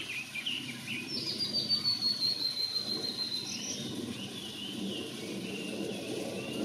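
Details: A Blue-and-white flycatcher sings at Enkaizan, Japan, on 23 May 2020: a long, high, thin whistle sliding gently downward, with a few softer chirps around it over a steady low rumble of background noise.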